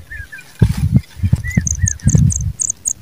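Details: Pipit calling while working hard to feed its young: short, slurred notes repeated several times, with high, thin chirps in quick clusters later and dull knocks and rustling underneath.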